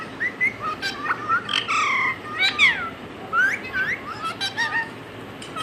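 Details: Pet talking parrot mimicking words and a cat's meow: a busy run of harmonic, warbling whistled syllables and short squawks, rising and falling around a mid-high pitch, with brief gaps between bursts.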